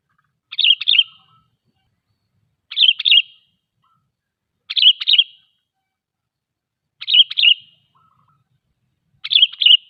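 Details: Sooty-headed bulbul, a kutilang, singing loudly as a lure to prompt other bulbuls to sing and draw wild ones close in the forest: a short bubbly phrase of quick chirped notes, repeated about every two seconds against silence.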